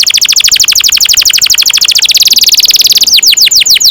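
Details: Long rolling canary song meant for training young canaries: a fast, steady trill of sharp high notes repeated many times a second, ending in a few slower falling whistles.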